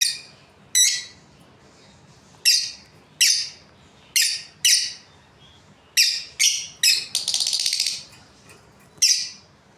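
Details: Breeding pair of Australian lovebirds, caged pets, giving shrill, downward-sweeping chirps in irregular bursts, some doubled, with one longer buzzy rasping call near the end; quiet room background.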